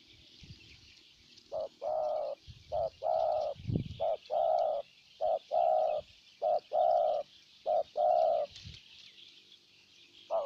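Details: Spotted dove used as a decoy in Ninh Thuận to attract a wild bird, giving a series of short-long coo pairs at a steady pace over soft background hiss and a low thump.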